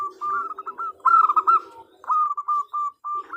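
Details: Calling female zebra dove: phrases of short, clipped coo notes, one louder and fuller burst in the middle, then spaced single notes, with a softer lower cooing underneath.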